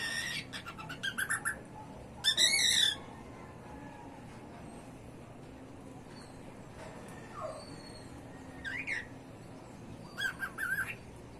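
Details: A pet cockatiel with a hoarse voice, chattering in response to the household dog's barking, gives short, hoarse, buzzy chirps in scattered bursts.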